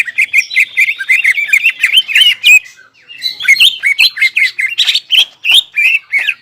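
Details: Greater green leafbird, crest erect, singing a rapid twittering stream of whistles and chips, then after a brief lull resuming with punchy, evenly paced bursts of varied notes.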